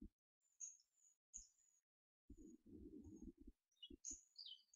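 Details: Two twelve-day-old hawfinch siblings, raised by a foster hen and then taken over by hand, being hand-fed on 4 May 2014. They give thin, high squeaky calls in short bursts over loud low thumps and rustling from handling.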